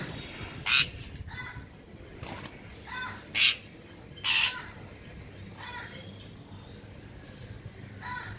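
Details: Semi-adult pair of sun conures giving harsh, piercing broadband screeches, three loud ones and several fainter ones spaced irregularly over about eight seconds, against a quiet background with low hum.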